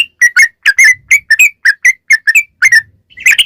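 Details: Yellow-vented bulbul singing a bubbly lure phrase to make other bulbuls respond: quick paired whistled notes sliding down, closing with a brief flurry of brighter chirps.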